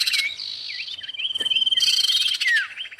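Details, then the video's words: Common iora, male and female: a sharp chattering burst, a long even high whistle with little wavers, then a harsh fluttering rattle ending in a falling slurred note. "pikat burung cipow jantan dan betina"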